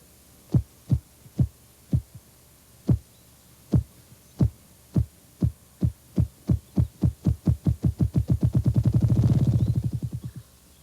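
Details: A ruffed grouse drums in Missouri: deep, muffled thumps start slowly, then speed up steadily until they blur into a low rolling whir after about ten seconds.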